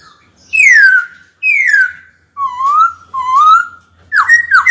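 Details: White-cheeked laughingthrush in a cage, singing to draw a rival into a fight: two long downward-sliding whistles, two softer rising whistles, then abrupt swooping notes. A faint low hum runs underneath.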